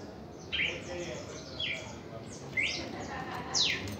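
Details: Reaction song of a red-crested cardinal: four bright, slurred notes roughly once per second, some rising and some falling sharply, with faint chattering and a steady hum behind.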